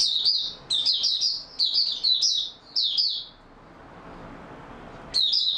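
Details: Oriental white-eye, caged, in stable song on 28 February 2022: a dense sequence of high-pitched rapid twittering phrases for about three seconds, a short silence, then one more bright burst at the close.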